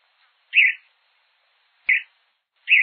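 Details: A Hepatic Tanager (sanhaçu-de-fogo) in Brazil gives three short, husky, chip-like notes, spaced unevenly over about three seconds, with quiet in between.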